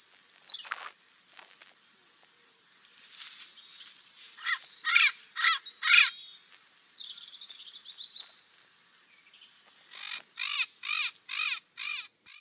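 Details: Parrot voice: scattered harsh screeches and a thin whistle build into a steady series of rough, grating squawks repeated about twice a second near the end.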